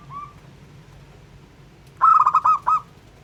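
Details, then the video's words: Local zebra dove, sung to stir other doves: one soft short note, a long pause, then a loud rapid rolling burst of about six cooing notes. A low hum sits underneath. "Perkutut LOKAL Jago Mancing EMOSI Semua Jenis Burung Perkutut"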